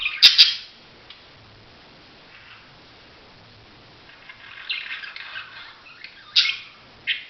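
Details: Budgerigar with a loud squawky chirp at the start, a long quiet stretch, then scattered bright chirps and rasping notes toward the end.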